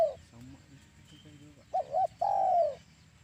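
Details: Spotted dove used as a lure for trapping doves, giving a low cooing call: a brief coo, then two short wavering notes and a longer falling coo, with faint background noise.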